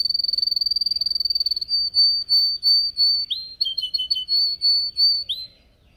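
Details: Training song of a caged yellow canary, phone-recorded on a Samsung S8 Plus: a quick pulsing high trill, then drawn-out whistled notes and a cluster of short dropping and rising slurs.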